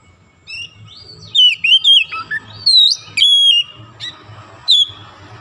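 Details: Oriental magpie-robin, called kacer, opening up in song after prompting. Liquid sliding whistles twist up and down, followed by a few sharp high chips and pauses, against a low droning hum.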